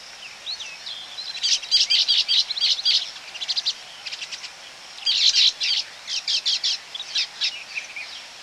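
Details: Baya weaver colony heard at close range: repeated bursts of high, scratchy, buzzing chatter, each lasting about a second, with short gaps and scattered single chirps between them.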